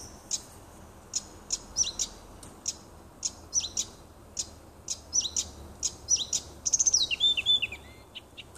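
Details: Nightingale singing in a small wood near a house on 30 June 2015: a fast string of sharp, high clicks and short whistled notes that builds into a rapid trilled flourish near the end.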